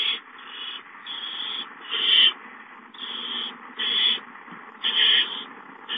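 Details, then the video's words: Barn owl young hissing as food arrives. Softer, drawn-out breathy hisses swell and fade, with louder bursts every second or so. "The Owlets hiss, Roy brings a mouse"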